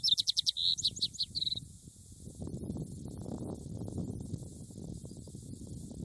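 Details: House wren (Troglodytes aedon) song: a quick, bubbly burst of high chattering notes and trills lasting under two seconds, followed by low wind rumble.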